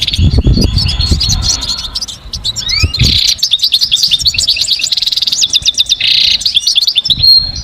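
A European goldfinch sings a fast, tinkling jumble of high twitters, trills and buzzy notes, with low rumbling background noise at the start.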